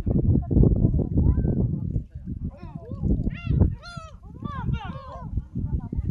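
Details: Seagulls at Jeongok Port near Jebudo Island, Korea, recorded on a smartphone while walking. Harsh, arched calls with rich overtones come in a cluster after a loud low rumble of wind or traffic. People talk faintly in the background.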